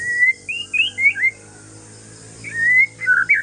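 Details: Calm singing of a white-rumped shama from Aceh forest stock, meant to make other shamas reply: high sliding whistles in short phrases, a pause, then a long rising whistle and quick slurred notes.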